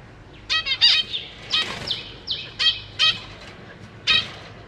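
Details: Zebra finch family in a cage, parents busy feeding young, May 2023: spaced, nasal, buzzy calls in short clusters about once a second, with a few drawn-out thin tones between them.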